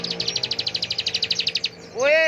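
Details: Bar-winged prinia in ngebren style, delivered at full power: a rapid, high, evenly pulsed buzzy trill lasting under two seconds, then a man's voice calling out.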